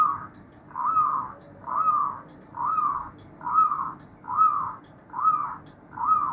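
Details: Chorus of many zebra doves: blurred, bubbling coo phrases pulse about once a second in a steady rhythm. Faint sharp clicks sound overhead.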